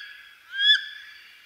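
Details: A single brief rising squeal from a wood duck, sharp and nasal, rising in pitch, set against steady high-pitched background hiss.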